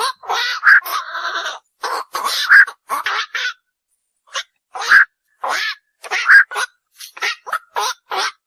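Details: Night heron calling: rapid bursts of rough, nasal kwak notes, with a longer drawn-out harsh note near the start, a brief pause midway, then more clipped croaks.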